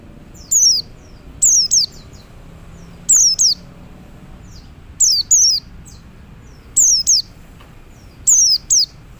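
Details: A male Oriental white-eye repeatedly calls to other white-eyes. Paired high, thin whistles slide downward, in six evenly spread double bursts across nine seconds, with steady low hum in the background.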